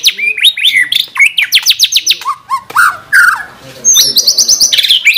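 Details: Varied song of a caged White-rumped shama from a tutor recording with 'tembakan' fills: sweeping whistled notes, steep up-and-down slurs, a few lower warbles, then a high stuttering run of repeated notes.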